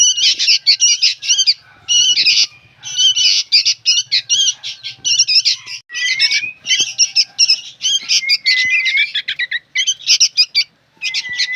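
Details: Several harsh, buzzy squawks from young sooty-headed bulbuls in a long noisy series, some rapid and stuttering, with a few thin rising whistles in the background.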